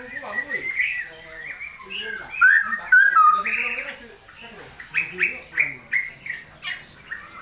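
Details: Rainy-season recording of a straw-headed bulbul: flowing warbled song with a bright, sweeping run of notes midway, followed by a string of evenly paced, rounded notes.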